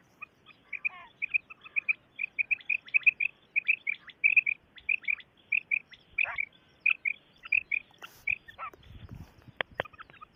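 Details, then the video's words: Common quail calling in a hunting setting: short, sharp high notes bunched in quick twos and threes, repeated steadily for ten seconds, ending with a few clicks and a low thump. "Common quail effects"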